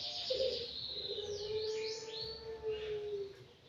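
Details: Five-month-old aviary Anggungan holding a long, level, low whistled note for about two seconds, while other birds add sweeping high twitters and chirps above it.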